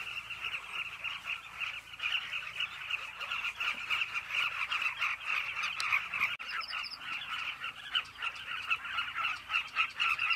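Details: Cliff colony of Carmine bee-eaters, many birds calling at once; continuous chattering of short, rough, burry notes overlapping into a steady wall of sound, with a brief thin higher chirp partway through.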